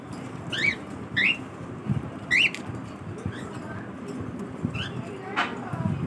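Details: Cockatiel calling during its morning routine, a series of sharp upswept whistles, three loud ones in the first two and a half seconds, then fainter calls and a brief noisy burst, over low hum.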